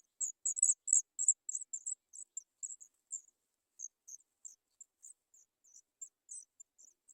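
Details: Three Sooty chat nestlings waiting for food give thin, very high, hissing squeaks in rapid bursts, about four a second, loud at first and then trailing off more softly.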